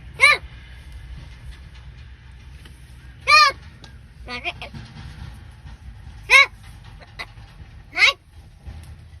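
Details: Crow that talks in Marathi giving loud, hoarse, honking calls, each a short downward-curving burst, spaced about two to three seconds apart against a low background rumble.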